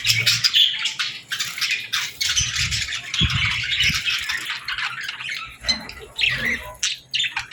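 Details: Young budgies and lovebirds at feeding time give a steady jumble of sharp, high chips and scratchy squeaks from several birds, with a few soft low knocks and rustles mixed in.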